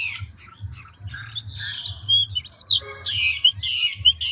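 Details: Chinese hwamei, a large mature wild-caught bird singing in ngũ trường style with rapid voice-switching: varied whistled notes and slurs, then loud rasping harmonic phrases repeated about twice a second, over a low pulsing hum.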